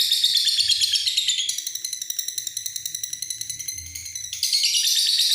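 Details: Long ngekek from a lovebird, a shrill, rapid chattering trill held for several seconds, its pulses steady and evenly spaced, dropping briefly in loudness before a louder burst at the end.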